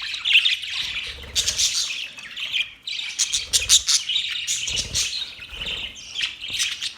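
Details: Budgies chirping: clear whistled chirps and scratchy warbles in bursts separated by brief pauses, with a faint low hum beneath.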